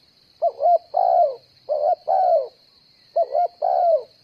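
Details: Spotted dove used as a decoy bird for trapping, cooing: three phrases, each a quick double note followed by a longer, downslurred coo, with a steady high hiss behind.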